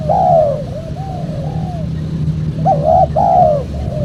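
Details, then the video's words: Spotted dove coos for luring wild doves: a strong falling coo and gentle trailing notes, then another pair of loud rounded hoots with a long sliding final note, over a faint low drone. "PEMANGGIL BURUNG TEKUKUR SUPER JERNIH"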